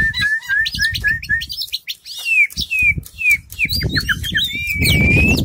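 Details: Caged white-rumped shama with tail spread, pouring out a rapid, varied song of whistled slurs and sharp chirps, with a rising whistle near the end and rough low noise in the background.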